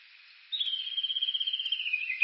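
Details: Japanese bush warbler recorded with an OLYMPUS Voice-Trek V-82 while walking along Uguisu Road at the foot of Mount Yakushi, Kuga, Suo-Oshima, Japan: one long, clear whistle held about two seconds, sliding slowly downward, with faint high hiss.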